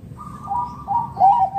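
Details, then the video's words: Local wild zebra dove, a lure for other doves: soft, wavering coos that dip and rise, ending in a slightly louder note, with a faint low hum. "Perkutut lokal gacor RAJA PIKAT Ahlinya Bikin Semua Burung Perkutut Gacor Nyaut"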